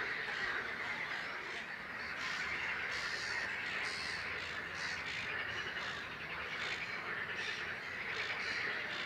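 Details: Great crested grebe, nominate subspecies, at Het Vinne wetland, Zoutleeuw, Belgium, in May 2016: harsh, rasping, cawing bursts come in irregular runs over a steady, dense background chatter of other birds.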